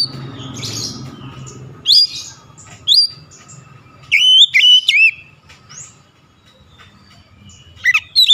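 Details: Oriental magpie-robin song for prompting lazy birds to sing: scattered sharp, high whistled notes with rising twists, grouped in short bursts between quiet stretches, over low background hum.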